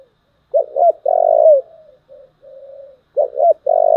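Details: Spotted dove, 'giọng thổ' style fighting call: two hiccuping notes, a long loud low coo fading into softer level coos, then the phrase starts again. Clean recording.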